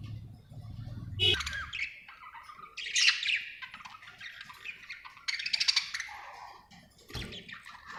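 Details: Happy pet budgerigar chirping: a busy run of scratchy warbles, squawky notes and clicks in bursts, with a brief low rumble near the start.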